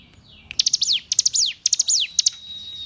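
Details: Hill prinia song used as a tutor recording for captive songbirds: several high phrases, each a quick burst of sharp ticking notes sliding into a bright downward-sweeping whistle, with a thin steady high tone trailing at the end.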